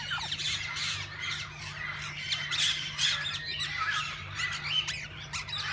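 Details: A crowd of various parakeets in a zoo walk-in aviary keeps up a constant tangle of shrill, harsh squawks and chattering screeches, overlapping without pause, over a faint low mechanical hum.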